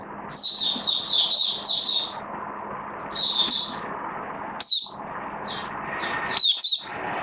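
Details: Caged oriental white-eye, hobby songbird recorded 19 September 2022 while building singing form: a quick string of high chirped notes, then scattered sharp chips and short twitters separated by pauses, with a faint steady hum behind.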